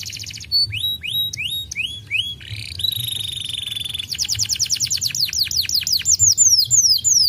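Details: A previously silent canary responds right after a recording is played briefly, singing a long, bright, continuous song: rapid rising whistled notes, a sustained buzzy trill, then fast repeated chirping phrases, all high-pitched.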